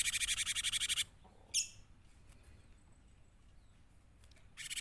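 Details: Cinereous tit song used as a lure for other birds: a one-second buzzy trill of rapid, evenly pulsed notes, one sharp chip, then the trill starting again at the end.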